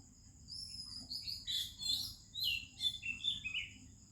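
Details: Melodious morning song of an Oriental magpie-robin in India: bursts of bright, varied whistles and twittering notes that rise and fall, with a constant shrill insect tone behind.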